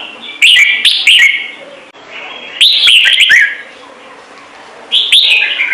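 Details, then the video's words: Red-whiskered bulbul repeating bubbly warbled phrases of quick up-and-down whistles, three bursts spaced about two seconds apart, with soft echo between. "CHÀO MÀO | Trung Mang hót giọng chuẩn cực hay - Bổi nghe là hót"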